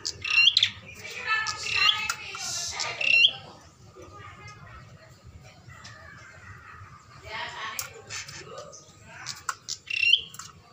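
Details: Bar-winged prinia, prompted to call by a mirror, gives shrill, buzzy chattering bursts laced with sharp upswept whistles, in two spells separated by a quieter pause.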